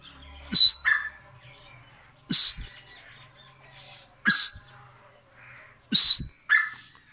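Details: White francolin uttering four strong, rasping calls spaced about two seconds apart, each a piercing burst with a sharp click before it and a lower trailing note, in quiet surroundings.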